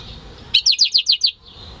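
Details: A home-bred goldfinch × canary hybrid delivers a short, clear phrase of six bright, evenly spaced high chirps in under a second, recorded in May 2015, with faint background hum.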